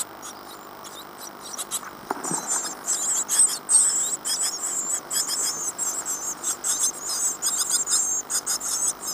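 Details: Great tit nestlings, day 14 after hatching, in a nest box at Falmouth, UK, in 2011. A busy, near-continuous chorus of shrill, high-pitched cheeps and rasps builds up and grows louder.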